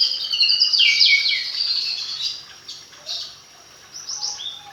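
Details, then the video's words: Magpie-robin kept since fledgling age singing dense, buzzy high chatter that fades into scattered short notes and a few clipped whistles. "Burung murai rawatan dari trotol hasilnya lebih maksimal isian faseh2"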